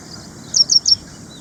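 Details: Ashy prinia in India: three high, sharp notes, each sliding downward, spaced evenly in well under half a second.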